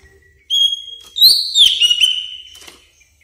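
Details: Greater green leafbird lure sound for tutoring caged birds: a long, clear whistle with a slurred, rising and wavering middle, about two seconds long.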